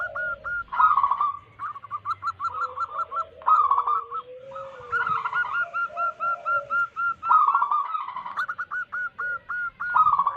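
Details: Several wild local zebra doves, in a recording meant as a lure for wild doves, trade quick stuttering coo phrases and evenly spaced hooked notes. Lower, drawn-out purring coos sound underneath.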